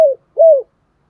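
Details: Spotted dove, 'thổ pha đồng' voice, with two soft coos. A brief falling note is followed by an arched coo that drops at the end, in a quiet setting.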